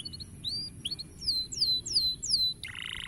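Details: Canary song played to encourage young canaries; a few short notes, then four loud descending whistled slurs in even succession, ending in a brief buzzy churring phrase.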